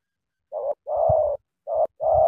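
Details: Spotted dove: two paired coos, a short note then a longer steady mellow one, clear and close with faint low knocks.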